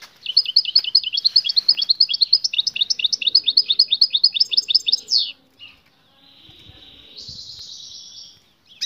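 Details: A female European goldfinch gives a fast run of high, tinkling twittered calls for about five seconds, then quieter thin rising tones and a faint hiss; these calls draw the male's attention, prompting him to sing and mate.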